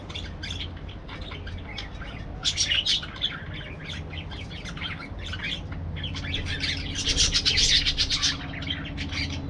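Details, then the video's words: Chattering parakeets in an aviary, rapid harsh squawks and chirps running on without pause, swelling into two louder dense bursts, over a low hum. "parakeet sounds"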